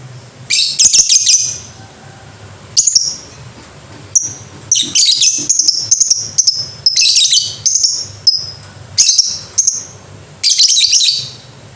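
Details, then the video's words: Lovebird singing in the ngekek style. Shrill, high chirps come in rapid clusters that keep going across the whole stretch, with short pauses between bursts. A faint low hum sits in the background. "Pasti Banyak Lovebird Ikut Bunyi"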